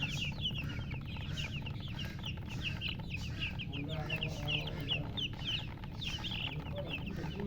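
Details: Baby chickens chirping in a crowded chorus, rapid high falling peeps repeating without break, a few lower soft notes mid-way, persistent low hum beneath.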